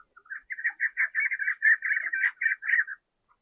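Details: Chukar partridges calling from steep, rocky slopes up Cottonwood Creek in the Pueblo Mountains, a species said to be extremely vocal while directing its young. The call is a loud, rapid run of harsh clucking notes, about five a second for nearly three seconds, over a faint high hiss.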